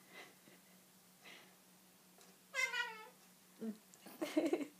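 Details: An excited Goffin's cockatoo gives one wavering, shrill squeal of about half a second, then a harsher burst, with a woman talking softly and a low electrical hum.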